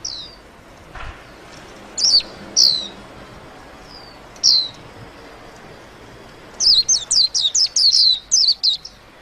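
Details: Singing white-eye: scattered single high down-slurred notes for the first half, then a rapid burst of chirpy, falling twitters near the end.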